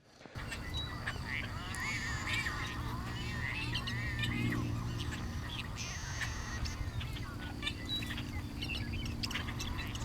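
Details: A large flock of at least 60 Tricolored Blackbirds along a road at San Jacinto Wildlife Area, Southern California, gives overlapping nasal, wavering calls likened to fighting cats' meows, under a man talking and a steady engine rumble.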